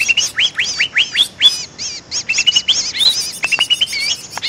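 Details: Greater green leafbird lure sound: quick rising-and-falling whistled notes, then loud chattering phrases with sharp clicks and rising slurs, delivered in an energetic, varied stream.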